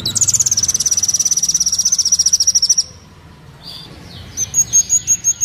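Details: Kolibri Wulung sunbird song for training and luring: a fast, even, high trill of pulsed notes that descends slightly over nearly three seconds, followed by a series of separate high chirps.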